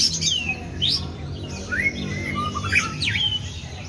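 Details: White-rumped shama singing in imitation of a sooty-headed bulbul: clear whistled notes that swoop up and down in quick, varied slurs, heard over a steady low hum, with a man talking afterwards.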